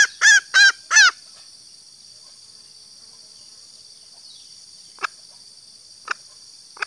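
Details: Female green junglefowl (Gallus varius) giving a lure call to draw males: three loud, harmonic, arched notes in quick succession, then faint scattered ticks, over a steady high insect drone.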